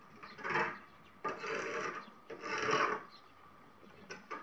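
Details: White-cheeked starling (Sturnus cineraceus) at a home on 2 February 2018, giving three harsh, grating rasps about a second apart, then two brief scratchy notes near the end.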